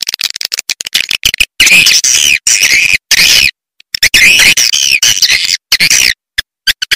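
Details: Swiftlet sound for calling and attracting swiftlets, with bursts of high, rasping chatter and buzzy twitters about half a second long, broken by sudden gaps and short clicks.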